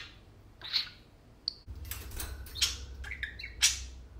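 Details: Tame pet parakeets chattering during play in a small room, a few sharp chirps and squawks over low indoor rumble.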